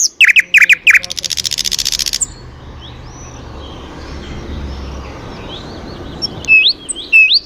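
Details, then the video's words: Birds singing: quick chirps and a fast buzzy trill at the start, a quiet noisy stretch, then sharp whistled upslurred notes near the end. "пение птиц"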